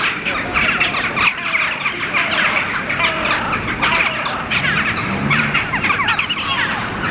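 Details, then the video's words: A Hooded Crow (Corvus corone cornix) standing on rock in Helsinki, Finland, in July 2015 gives harsh, rasping squawks in quick, uneven bursts over a steady wash of other bird chatter. "Hooded Crow standing on the ground; vocalizing"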